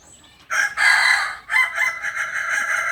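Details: From Solok, West Sumatra, a Kukuak balenggek singing chicken crows loudly and at length. A rising opening runs into a sustained ringing note, then a second stepped, drawn-out phrase follows.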